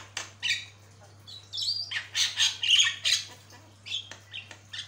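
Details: Jalak kebo (Javan myna) singing energetically on a long training recording: scratchy squawks run into bright high whistles and wheezy notes, a continuous jumbled phrase against a faint steady hum.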